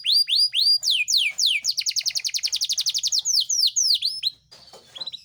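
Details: Caged Yorkshire canary in full song, a tutor recording meant to stir silent canaries and mating: loud descending whistled sweeps open into a long fast, even rolling trill, then more swooping notes and a few soft high chirps.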